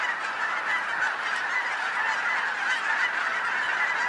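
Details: Geese by the thousands in Colorado fill the air with a continuous honking chorus, calls piling on one another into an even roar.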